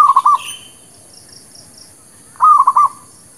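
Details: Zebra dove of the local kind singing a lure song for trapping and new birds: two tight bursts of quick, rolling coos about two seconds apart, with a brief higher chirp from another bird after the first.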